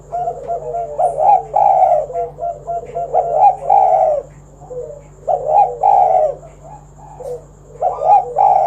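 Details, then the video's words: Spotted dove singing to entice other doves to join in: repeated rolling, slightly buzzy coos in groups of two or three, with softer falling notes between phrases and short pauses. "Tekukur Kuk 1 Gacor Suara Panggilan Burung Derkuku agar Bunyi Gacor Manggung"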